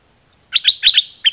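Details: A dok taeng bird gives a short burst of five loud, sharp chirps within under a second, part of a lure song used for teaching and decoying birds; the background is otherwise silent.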